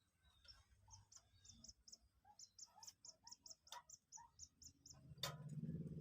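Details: Common Moorhen chick, two days old and captive, being coaxed to eat feed: an even string of about twenty high peeps, roughly three per second, ending in a loud knock and low rumbling handling noise.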